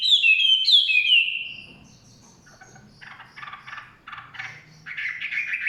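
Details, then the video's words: Chinese hwamei in the forest: two bright descending whistled phrases, a pause, then rough, buzzy bursts repeated in short series. "Nikmatnya kicauan wambi/huamei hutan.."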